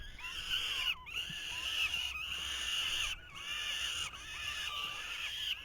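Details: At a 2023 falcon nest the male struggles to feed the growing chicks. They give loud, hoarse, screechy calls in long overlapping bouts, pausing roughly every second.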